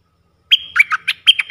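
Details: Red-eyed bulbul, a wild bird reacting to a caged decoy. Two loud bursts of three or four gurgling, bubbly notes follow close together.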